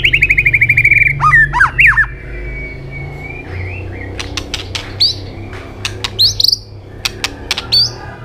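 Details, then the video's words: Asian robin singing: a fast buzzy trill of repeated notes, then sharp slurred whistles, scattered clicks and bright upward-sweeping phrases over a low rumble of distant traffic. "Robin singing"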